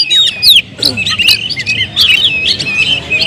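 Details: Caged Oriental magpie-robin gives loud, clear whistled notes and short chirps in bursts, separated by brief pauses.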